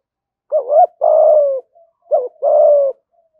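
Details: Spotted dove cooing to provoke fighting and lure wild doves: two low phrases, each a short wavering double note followed by a longer, steady, slightly falling hollow coo, in a quiet setting.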